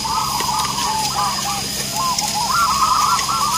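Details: A zebra dove (perkutut) singing from the start of a local perkutut competition in Purworejo, Central Java, gives soft, rolling, bubbly coos in quick warbled phrases; faint murmurs and other distant birds sound in the background.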